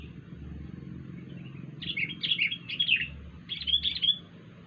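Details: Wild sooty-headed bulbul making a strange sound: two bursts of bubbly, warbled notes, the first a run of several quick phrases and the second shorter, over a steady low hum.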